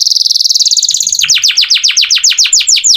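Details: Canary singing vigorously, used as tutor song for training magpie-robins: a very fast high trill of tiny repeated notes, then a steady series of about a dozen sharp downslurred whistles, each dropping steeply.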